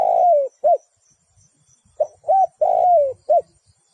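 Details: Spotted dove used as a decoy bird for trapping, cooing: a long, falling coo and a short clipped note, a pause, then two short notes, another long descending coo and a final short note. The setting is quiet.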